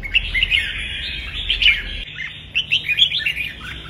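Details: Red-whiskered bulbul delivering a vigorous fighting song meant to train birds and prompt them to sing: rapid clustered chirps and short whistled slurs in bursts, with a low hum beneath the first half.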